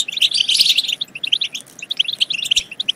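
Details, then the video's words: Brief European goldfinch twittering, used to stimulate goldfinches to sing and mate: a loud cluster of ringing chirps, then evenly spaced quick notes repeated to the end. "بتبتات خرافية في تحفيز الحسون على التغريد"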